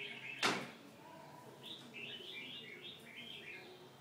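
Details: Red-whiskered bulbul giving a run of short, bubbly, warbled notes in quick succession. A sharp click sounds near the start, and there is steady background hiss.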